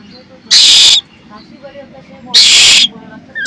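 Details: Hungry Asian koel chick, hatched in a pigeon cage, screaming for food from its keeper: two loud harsh rasping screeches, each about half a second, separated by quieter background chatter.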